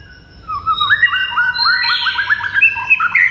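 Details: White-rumped shama song: a rich varied run of rising whistled notes, quickening into a rapid series of short upslurred notes, then bright high phrases and sweeping slurs, with a low hum underneath.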